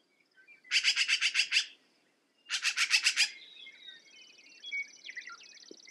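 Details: Two rasping rattles of about seven quick harsh notes each from a black-billed magpie, then high thin whistles and twitters from other birds in the background.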